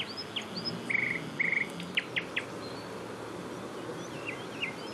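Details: Eurasian coot family with six young chicks swimming with their parents, early June 2019; two short buzzy trilled calls around the first second, followed by sharp downward peeps and a few faint high notes over steady background hiss.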